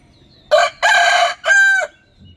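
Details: Rooster crowing, a behaviour linked to showing territory to other males and attracting females: a loud three-part cock-a-doodle-doo, a short opening note, a long rich middle syllable and a sustained final note, over near silence.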